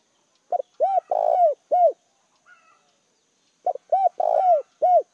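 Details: A spotted dove used as a decoy to attract wild birds gives two mellow cooing phrases close together, each a quick short note then paired coos around a long burry coo. A faint thin whistle is heard between them.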